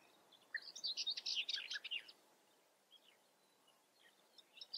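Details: European bee-eater calling in the Eifel: a dense one-second burst of quick, trilled, rolling chirps, followed by scattered fainter calls from further off over quiet background hiss.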